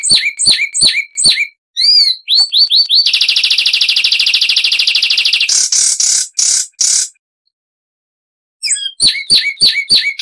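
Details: Zapata wren from Cuba in full song: a string of sharp, rising notes, a long buzzing trill, harsh rasping bursts, a pause, then more quick rising notes. Clean recording with no other sounds.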